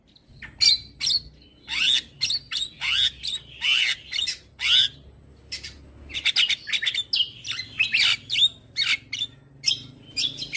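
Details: Black-winged starling with white eyes, a lively morning singer used to teach other birds: clear strings of scratchy chirps and bright whistles, grouped in two energetic phrases separated by a brief silence.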